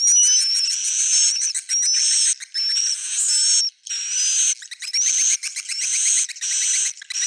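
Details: Edible-nest swiftlet roosting call (suara inap) for luring swiftlets: long buzzy, high rasping notes with thin rising whistles, broken by brief gaps and quick clicking chatter.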